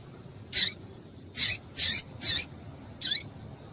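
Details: Calling female double-collared seedeater, used to excite males, gives five quick, high, buzzy chips in under four seconds, the middle three coming in a rapid run, over faint steady background noise.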